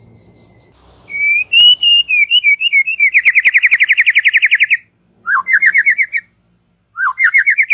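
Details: White-rumped shama giving relaxed chatter to stimulate young and wild-caught young birds. A smooth wavering whistle runs into a long, fast, even trill of many pulses, then two shorter upslurred trill phrases follow after brief pauses, over faint background murmur.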